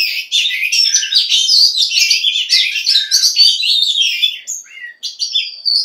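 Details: Oriental magpie-robin, given as a female stirring males to sing, pours out a dense, fast jumble of scratchy, chattering and whistled notes, then ends with a few longer, cleaner whistles.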